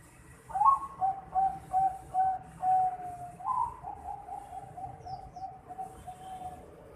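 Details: Young Bangkok zebra dove aged 4.5 months: a run of about a dozen mellow cooing notes, a higher opening note, five even notes, then a rising note leading into a faster, softer, slightly lower string.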